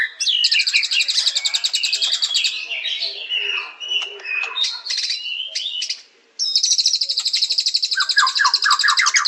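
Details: White-rumped shama song: an opening trill gives way to a tumble of varied whistles and chatter, then after a short pause a strong high trill returns with lower repeated notes beneath.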